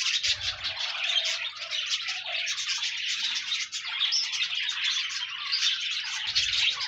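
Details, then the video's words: Lively pet budgerigar song: overlapping high-pitched chirps, squeaky notes and fast warbling running without a break, played to cheer a lonely budgie into singing. "No more lonely budgies. Pet parakeets encourage your bird to sing"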